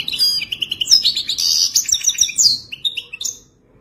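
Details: Goldfinch song of the traditional wadani type, a continuous bright twittering of quick chirps, liquid trills and sharp high slurs running almost without pause for over three seconds before stopping.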